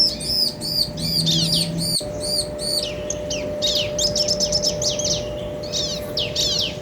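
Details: Bar-winged prinia male and female exchanging song to agitate other birds: fast high arched chips at first, then a dense jumble of scratchy downslurred notes, with a low hum and a single click.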